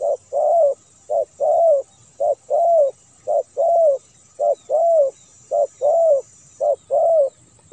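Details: Edited, clean spotted dove cooing used to lure house-kept and wild doves: low, soft coos in a steady repeating pattern of short and longer notes, about one a second.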